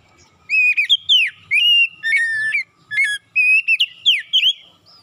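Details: Kacer, the oriental magpie-robin, giving a continuous morning run of loud whistled notes, upward sweeps and quick falling slurs, varied phrases following almost without pause, meant to lure reluctant birds into singing.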